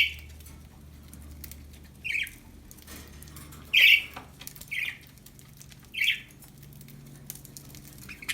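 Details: Happy budgies chirping: short bright chirps, a few loud, repeated at irregular intervals of roughly one to two seconds over quiet room noise.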